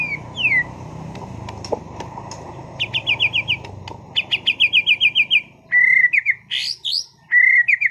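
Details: White-rumped shama, a caged competition bird from Sragen, delivers falling whistles, two runs of quick repeated chipping notes, then loud clear whistled phrases and a buzzy rattle, with low background hum early on.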